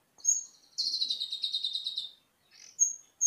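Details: Olive-backed sunbird used as a master recording for cage birds, song filled with cililin material: a sharp high note, then a long buzzy trill over a second long, followed by thin rising whistles.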